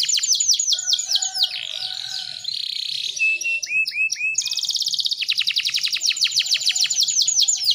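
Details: Female canary singing as a lure for males: quick falling sweeps, a buzzy rolled trill, separate upslurred whistles, then a long fast pulsing trill of dropping notes.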